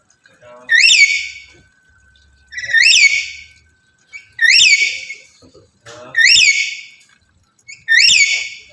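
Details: Male black-capped lory in breeding condition calling for a female. Five loud, ringing, upward-sweeping screeches come regularly about every two seconds, with quiet pauses between them.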